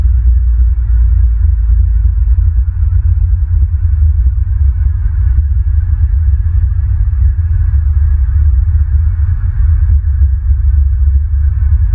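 Steady low rumbling hum with faint rhythmic throbbing throughout and no animal calls.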